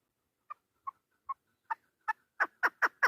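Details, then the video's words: Chukar partridge recorded on 3 May 2025, calling in a rising series of nine clucking notes, the first three soft and spaced, then louder and faster chuk notes building toward the end; no other sounds. "Овози модакабк // Модакабки шикори // Садои модкабк // Keklik sesi mada shikari"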